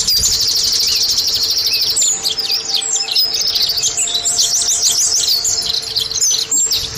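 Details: Oriental white-eye lure recording meant to get caged birds singing quickly: a fast buzzy twitter first, then varied high whistled slurs and chips continuing over a steady background hum.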